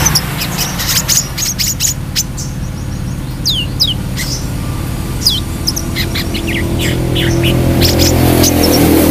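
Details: Brown-throated sunbird in lively song, a rapid series of sharp high chirps and swooping down-slurred whistles, tight bursts then looser runs, with a constant low mechanical hum growing louder toward the end.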